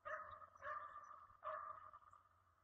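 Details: Bald eagle at a nest on a nest camera at Jordan Lake, 29 January 2013, around 4:55 pm during feeding at the nest; faint, drawn-out harmonic calls in two long phrases over steady low hum.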